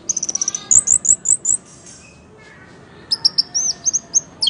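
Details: Orange-headed thrush, a bird singing loudly and described as looking tipsy when in full voice: a fast series of bright whistled notes, then a run of slurred rising whistles, a short pause, and further clear whistled phrases.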